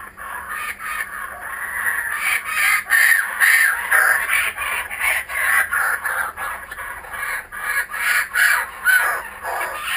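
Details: Several kookaburras returning to a garden give a long rollicking laugh of repeated harsh, hoo-hoo-ha notes, building in strength past the midpoint and staying rhythmic to the end.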